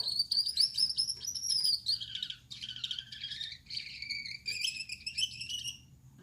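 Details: Nighttime song of a male Gouldian finch, yellow on the back, red-headed, white-chested: rapid buzzy chatter and thin rasping trills, stepping down in pitch midway then rising again, repeated several times a second.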